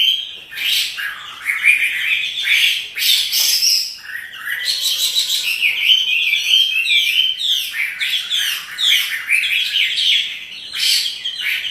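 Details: Chinese hwamei kept as a cage bird, singing briskly while dancing: a long rich medley of clear whistles, fast slurred runs and buzzy trills in rapid bursts, with short gaps between phrases.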